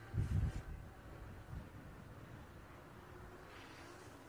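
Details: On a sunrise safari drive, a few low thumps open the recording before a quiet, steady engine-like hum with faint wind continues, with no animal calls evident.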